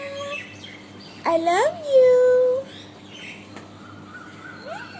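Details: Six-month-old pet Alexandrine parakeet talking, mimicking learned words such as "I love you"; one drawn-out, nasal, tonal phrase bending up then holding steady, with a faint rising note near the end over quiet background hum.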